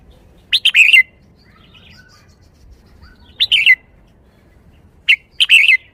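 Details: Red-whiskered bulbul singing in the 'khayao khuat' (bottle-shaking) song style: three quick, bright, warbled phrases of slurred whistles, each under half a second with sharp rising opening notes, spaced about two to three seconds apart over quiet background.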